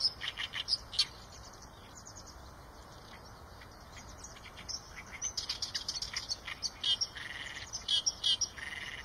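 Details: Eurasian tree sparrow chirping in scattered bursts: a few sharp notes at the start, a quiet pause, then a busier run of high tweets and short squeaky calls toward the end.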